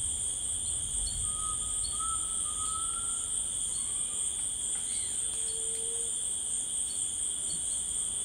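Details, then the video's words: In rainforest, a grey tinamou gives a faint, pure whistle that climbs gently over two seconds, followed by a lower short whistle, against constant shrill insect buzzing. "The Singing Tinamou Tao"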